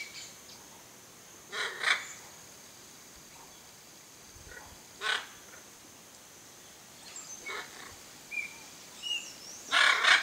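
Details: Pair of hyacinth macaws foraging for palm coconuts in a backyard in Brazil: loud raspy squawks in scattered bursts, a double one early, then single calls, ending in a long harsh outburst, with thin whistled notes from other birds.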